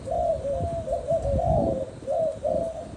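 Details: Spotted dove giving low, mellow coos in a near-continuous run of smooth, slightly arched notes, with soft low rumbling noise underneath.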